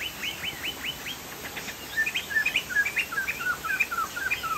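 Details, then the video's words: Chinese hwamei (poksay jambul sumatra) in energetic song: a series of downward-slurred whistles, then a rapid, varied chatter of melodic notes that grows louder. "POKSAY JAMBUL GACOR"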